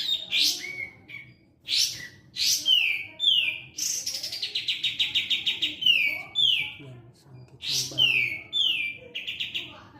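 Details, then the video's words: Sooty-headed bulbul singing repeated bright phrases with stepped downward slurs, a rapid trill in the middle, pauses between bursts. "Katem gacor.."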